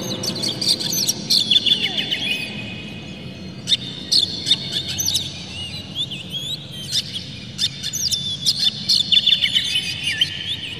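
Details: Oriental magpie-robin song used to excite rival birds: rapid, rough chattering bursts and whistled slides in clusters, separated by short pauses, over a steady low rumble of background noise.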